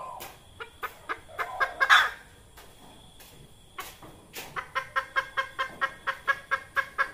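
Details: Red junglefowl hen calling, a sound used to lure birds into traps: accelerating clucks rising to a rasping squawk, a pause, then a regular train of about fourteen short clucks, with a faint high insect drone.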